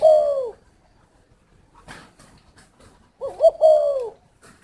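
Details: Spotted dove kept at a breeding garden in Ba Vì district, Hanoi, Vietnam: the tail of one falling coo, a short rustle, then a full phrase of quavering low notes ending in a drawn-out descending coo.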